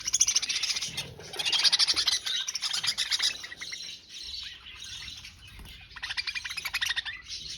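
Budgerigars chatter busily, with rapid high twitters and scratchy warbles overlapping throughout.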